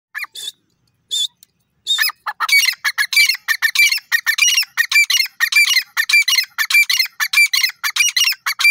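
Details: Francolin, locally called teetar, giving a loud, harsh, grating call. The notes repeat rapidly and steadily, about one and a half per second, after a few brief opening notes.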